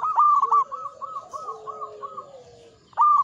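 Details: Singing local zebra dove, Mataram ngepat rhythm: a loud opening note followed by a softer, steady string of evenly spaced cooing notes, then a fresh loud start, with a low drawn-out coo from another dove behind.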